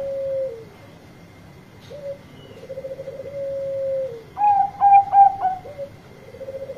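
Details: A Bangkok zebra dove sings loudly to call its companions, mixing soft purring trills with a burst of four clear, clipped, ringing notes, the phrases following one another quickly over a low hum.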